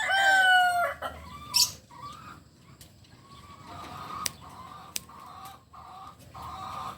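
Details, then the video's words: Native Solok Kukuak Balenggek chicken crowing: a loud, slightly falling opening note, then a string of quieter, evenly broken notes following one after another, with a few sharp clicks behind. "Ayam kukuak balenggek ayam asli solok"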